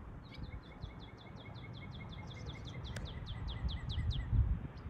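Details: Many barn swallows together; a quick run of short, sharp, high chirps falls in pitch note by note, repeated several times a second for most of the stretch, over a steady low rumble of outdoor noise.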